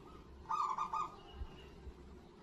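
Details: Local zebra dove with a big voice, its call used to stir other zebra doves into calling. One quick run of four or five clipped coos lasts about half a second, followed by low thumps against steady background hum.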